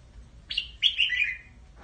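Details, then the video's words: Flock-gathering call of a red-whiskered bulbul: one short high chirp, then a longer lively phrase of warbled notes sliding gradually lower, clear against a quiet background. "chào mào gọi bầy"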